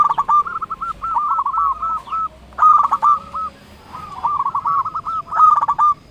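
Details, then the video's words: Local zebra dove, a strong singer, calling to rivals: phrases of soft cooing notes near one pitch, opening with a short burst of rapid clicks and then a trill of slurred coos, repeated about every two seconds. "Perkutut lokal gacor Ahlinya memanggil lawan bikin burung perkutut gacor nyaut"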